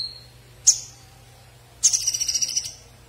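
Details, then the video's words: Konin bird singing: a sharp high note, then a fast buzzy trill of about ten rapid pulses lasting under a second, all very high-pitched, with a faint low hum beneath. "SUARA KONIN SUPER JOSS"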